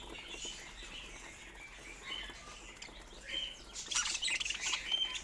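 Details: Budgerigars kept as pets murmuring with soft warbles, building to a louder burst of dense high chirping in the last second and a half.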